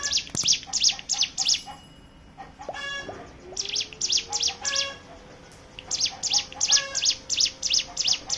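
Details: Hill prinia song used as a lure to make other birds sing: rapid high chevron-shaped notes at about three per second, a brief pause with a lower harmonic call, then the fast series resumes.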